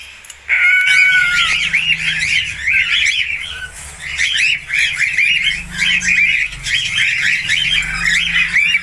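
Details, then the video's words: Budgerigar, a falk-type bird, singing a long, busy warble of rapid chattering notes with scratchy clicks and short whistles, running almost continuously with brief pauses, over a low steady hum. "SIULAN ISTIMEWA FALK/PARKIT AUSTRALIA."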